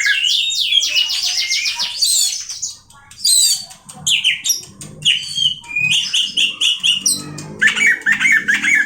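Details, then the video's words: Loud, varied song of an Oriental magpie-robin: rapid chattering and whistled phrases, sharp clicks, and a short pause. Faint low knocking or rustling is heard in the background. "dengar suara Kacer ini"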